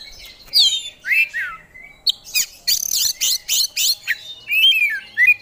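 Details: Kacer, an oriental magpie-robin, singing its isian: falling whistled slurs, then a run of harsh buzzy rasps, closing with sharp high whistles.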